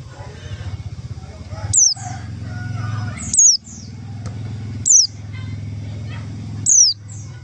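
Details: White-eye lure call for attracting other white-eyes: four sharp, high descending whistles at uneven gaps of one to two seconds, with a soft fainter echo-like note after each, over a continuous low droning background.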